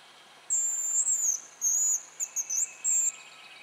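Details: Hazel grouse on its spring lek in Russia: a long, piercing, very high whistle that dips slightly at its end, then a burst of short quavering notes and a final brief whistle, over faint lower birdsong.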